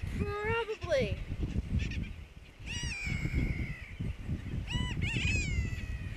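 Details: Brown booby on Johnston Atoll, recorded June 16, 2001. It gives a series of nasal, strongly harmonic calls, some sliding upward, one long flat drawn-out cry near the middle, and several clustered honking bursts near the end, all against heavy wind noise.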